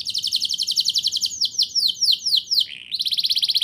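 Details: Actively singing canary with rolling, high-shooting song meant to coax young birds into singing: a rapid even trill gives way to a run of slurred downward whistles, a short dip, then a fast trill again.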